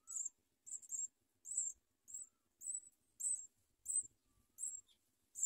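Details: House sparrow chicks beg during feeding by their mother, biting her as she feeds them. A steady series of thin, high squeaks sounds roughly every half second, each brief and slightly falling.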